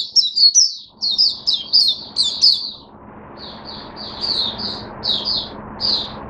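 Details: Cage-kept Oriental white-eye in open song on 5 May 2022: quick, high, sweet twittering slurs rattled off rapidly, then slower, more spaced whistled notes, over a steady low hum.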